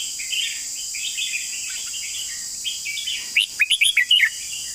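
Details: Red-whiskered bulbul singing a long song with beautiful phrasing: a quick burst of about seven loud, clear whistled notes that rise and fall, after faint, softer warbling. A steady high-pitched hiss runs throughout.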